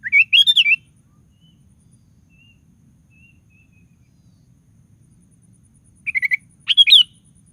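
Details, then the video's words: Lively sooty-headed bulbul song, used to prompt other bulbuls into singing. A quick burst of bubbly whistled notes opens, followed by a long quiet pause. Two more short chattering, warbling phrases come near the end. "DENGAR SUARA BURUNG KUTILANG GACOR"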